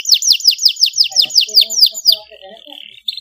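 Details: Young canary practising its song after a model canary recording: a quick series of sharp descending notes repeated about six times a second, fading into a soft, flat, drawn-out buzzy tone.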